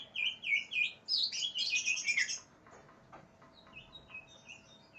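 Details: Aggressive greater green leafbird, seeking an opponent, pours out a fast string of loud, bright whistled notes, about a dozen in two seconds. Softer scattered whistles follow after a pause.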